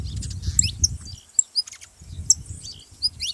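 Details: Saffron finch song meant to set a silent canary singing: scattered high, thin chirps and short down-slurred notes with gaps between them, over low background rumble.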